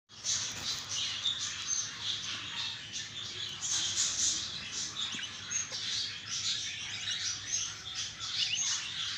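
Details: Two twin budgerigar chicks give a steady stream of thin, high, scratchy chirps that overlap one another.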